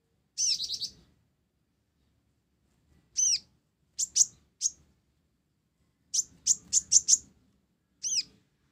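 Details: Blorok kolibri ninja, the olive-backed sunbird, in gacor song with sparrow-style isian gereja phrases. Scattered bursts of high, ringing chirps: a buzzy trill, a few single notes, then a quick run of five bright tweets and a final chip.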